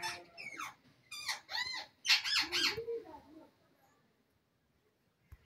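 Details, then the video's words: Wild parrots chattering at evening: a quick run of four harsh, rasping squawks of rising intensity, followed by a lower, softer call and then quiet. "jungali parrot sound,parrot evening time talking"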